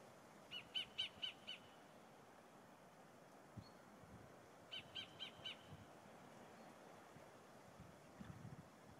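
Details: Sacred kingfisher calling from a tree in forest on the west coast near Auckland, New Zealand: two bursts of four to five sharp, loud, evenly spaced notes, several seconds apart, over steady low background rumble.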